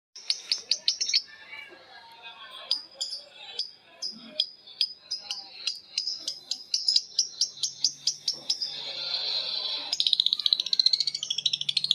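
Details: Lovebirds of Betmen, vio and paskun varieties calling back and forth in long ngekek chatter: rapid, sharp, high chirps repeated in fast runs, speeding into a dense trill, then a harsher buzzy rattle near the end.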